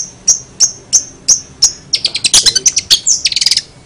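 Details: Long-tailed shrike, described as lively and making strange sounds: five evenly spaced, thin whistled notes, then a sudden burst of rapid, jumbled, scratchy chatter.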